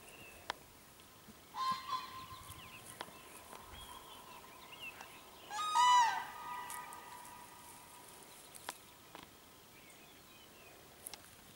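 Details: Cranes confronting a dog, recorded 21 April 2015. A faint harmonic call near the start, then a loud, rolling, trumpeted call in the middle, with scattered clicks and rustling outdoors.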